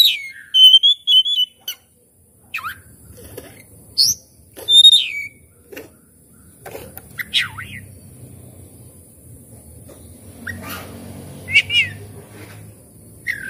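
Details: Oriental magpie-robin song used as a lure to get a lazy bird singing and spreading its tail: clear, varied whistled phrases with sharp rising and falling notes in irregular bursts, with a soft low rumble behind.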